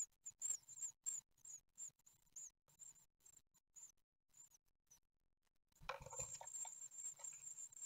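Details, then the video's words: During a feeding visit on 15 June 2020 in Ostwald, nine-day-old great tit nestlings give sharp, high begging squeaks in spaced bursts. A pause follows, then a broad rustling, scuffling burst as feeding continues. "Séquences nourrissage (9ème jour) - 15/06/2020 - Les Mésanges Charbonnières d'Ostwald"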